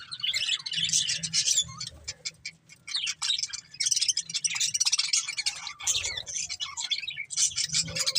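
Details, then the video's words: Budgerigars chirping in bursts of dense, high, rattly chatter and squeaky notes, broken by brief quieter pauses, over a faint low hum. "Beautiful Budgies Chirping Sounds"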